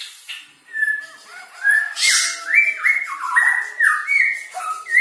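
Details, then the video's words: Grey-cheeked bulbul (cucak jenggot) singing in the fast, tight 'speed rapet' style: a rapid run of clear whistled notes, each sliding up or down, delivered in close succession with slight echo. "Jenggot Speed Rapet"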